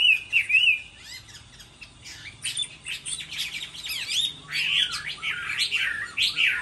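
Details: Chinese hwamei singing in a contest during the moulting season: loud, varied whistled phrases with quick slurred notes and rapid warbles, rising and falling, broken by short pauses, with a faint low hum underneath.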